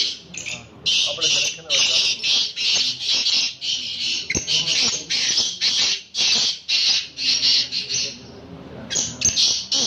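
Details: Black francolin in a calling contest: rapid series of loud, harsh, scratchy bursts, roughly two per second, continuing with short pauses through the clip.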